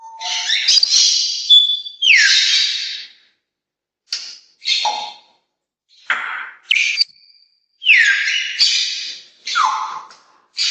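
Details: Ollie, a pet male African grey parrot, imitates his owner calling her name, calls the household Pomeranian, mimics the other pet birds and blows a kiss: a run of loud whistles, squawks and clicks in short bursts.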